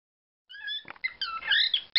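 A cockatiel sings a quick run of bright, squeaky whistles, starting with a few clear rising notes and then breaking into warbling, chattering phrases.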